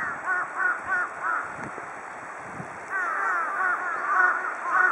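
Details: Flock of large-billed crows taking a long bath together; quick runs of arched, hoarse caws, a cluster early, then a dense overlapping chorus from several birds, with faint splashing thumps between.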